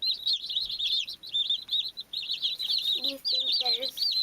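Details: Baby chicks chirping: dense, continuous high peeping from several chicks, rapid overlapping whistled notes with little pause, plus a few lower, softer clucking sounds in the second half.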